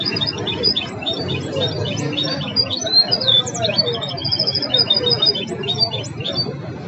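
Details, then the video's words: A goldfinch hybrid performs its learned song styles, Belghith, Jnan al-Hasira and Si al-Fahm: lively, varied twittering with rapid trills, sharp high chips and short liquid phrases, over a steady low background rumble. "الهجين الأسطوري الذي أثقن تغريد طائر بلغيث وجنان الحصيرة والسي الفحم"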